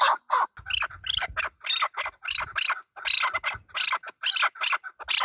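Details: Male chukar partridge producing loud, grating, ratchet-like squawks at a fairly even pace, each note harsh and noisy.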